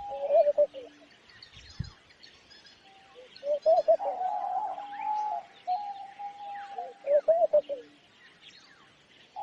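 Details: Homing pigeon giving repeated coos: short throaty warbled bursts alternate with long, level humming tones. The pattern recurs roughly every three seconds, over a constant scatter of small bird chirps and tweets.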